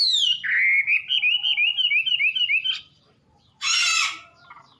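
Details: Wambi bird singing its melodious song: a falling whistle, then a rapid chain of rising and falling slurred notes climbing slightly, a short pause, and a harsh burst at the end.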